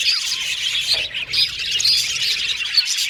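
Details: Colourful pet budgies from Australia in steady group chatter, bright warbled notes overlapping with brief clear whistles at intervals.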